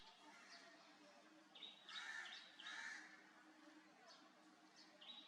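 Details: Urban Oriental magpie-robins, out after a little rain and calling their mates, give two harsh, raspy bursts and a few brief high whistled notes, fairly faint over a steady background hiss.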